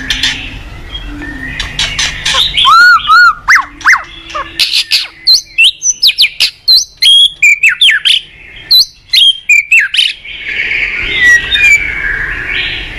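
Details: White-rumped shama morning song, used as a lure for training cage birds: a long sequence of loud looping whistles and sharp chips at a rapid pace, framed by softer scratchy chatter at both ends.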